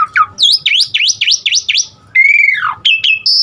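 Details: Asian pied starling singing fill-in phrases to prompt other starlings to sing: a run of six quick V-shaped whistles, a long drawn downward whistle, then short steady high tones.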